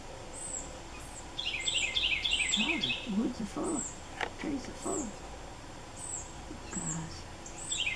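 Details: Red-bellied Woodpecker (Melanerpes carolinus) fledglings give quick runs of scratchy, high begging chirps while the father feeds one of several young, the mother nearby, over thin high calls from other birds and a person talking quietly.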